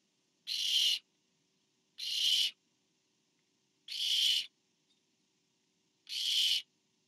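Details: Barn owl nest on 24 September 2015 as a parent brings food to the fourth owlet; four long, noisy, rasping hisses spaced about two seconds apart, steady and evenly loud, with a quiet background.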